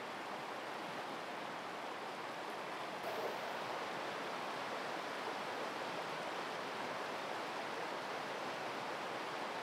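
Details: Only a constant broadband rush like flowing water or surf fills the recording, with no animal calls heard.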